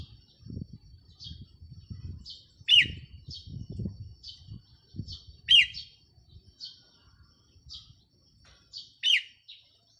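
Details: Decoy red-whiskered bulbul, 4 May 2023, delivering three loud, clipped, bubbly phrases roughly three seconds apart, interspersed with soft high call notes, with light low background noise early on.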